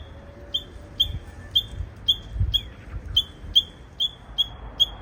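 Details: ['Japanese bush warbler singing abnormally, perhaps an immature bird practising: about ten brief, high, piercing notes roughly every half second, with soft low thumps and faint noise underneath.']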